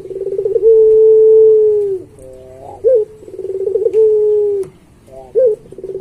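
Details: Barbary dove (puter pelung) cooing repeatedly for pet training: two cycles of a rapid rolling coo, each followed by a long level hoot about a second and a half long and a brief bent note.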